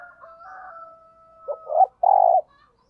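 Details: Decoy spotted dove in 'thúc gù' urging coo style: after a long steady whistled tone, two short muffled coos lead into one loud, sustained hollow coo near the end.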